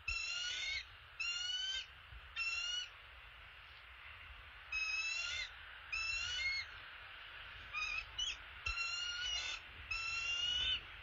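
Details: High piercing chatter from a male bald eagle delivering an opossum to the nest: short squealing phrases in quick runs, a pause, then a longer series of stuttering, overlapping notes, with a faint low hum beneath.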